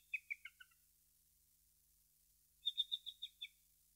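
A hummingbird gives two quick bursts of high, squeaky chirps: four sharp notes, a pause, then about six thinner ones, with nothing else heard.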